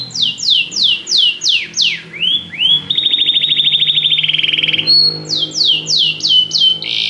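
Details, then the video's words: {'caption': 'Canary singing a loud, fast song: a run of descending whistled notes, then a long rapid buzzy trill, then more quick downward-sweeping whistles, repeated several times a second, with no other sounds.'} "o canário canta muito bem"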